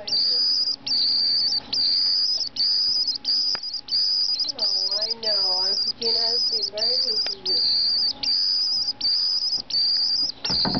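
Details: White-throated swift, a patient at a wildlife rehabilitation centre in San Diego, giving a shrill, buzzy high trill in bursts of under a second, about eighty a minute; a person speaks briefly in the middle.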